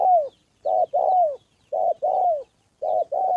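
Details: A decoy spotted dove in training, cooing steadily: paired hollow notes, the second drawn out with a falling end, repeated roughly every 1.1 seconds against near silence.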